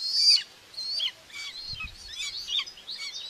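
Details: Nest camera at Tiszalök, Hungary, June 2, 2024, watching a common buzzard mother feed two chicks: one loud, high whistle, then softer, jumbled, thin calls, with a brief low thump midway.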